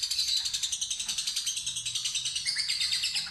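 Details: Fighter lovebird delivering a ngekek, the long chattering trill, after being lured to sing: fast, evenly spaced buzzy pulses run high and unbroken for over three seconds.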